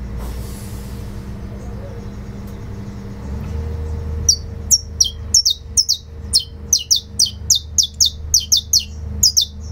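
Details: After a few seconds of near quiet, a saffron finch launches fibra song, a steady rapid string of loud, high, descending chips lasting to the end, over a faint mechanical hum.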